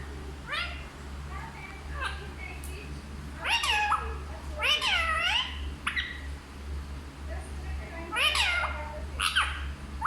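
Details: Indoor talking parrot producing a series of bent, wavering squawks and short notes in bursts, some in quick pairs, over a constant low electrical hum.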